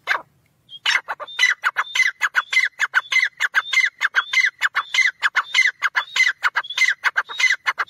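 A grey francolin calls in a fast, unbroken run of harsh, ringing notes, nearly two per second, with a thin whistled tone threaded through the series.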